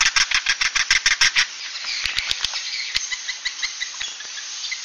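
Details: Swiftlet roosting sound called 'suara inap': a quick run of loud pulsed buzzy chirps for about one and a half seconds, followed by softer twittering with occasional clicks.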